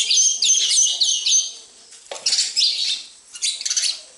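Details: Sparrows at a home: a quick series of five bright, evenly spaced chirps opens, followed by bursts of overlapping high tweets separated by short pauses.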